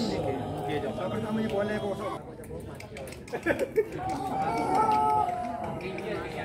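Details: Pelung rooster competing in the LPN Cup final singing contest, delivering a long tonal crow in its second half after a stretch of chatter and a few sharp knocks; crowd voices throughout.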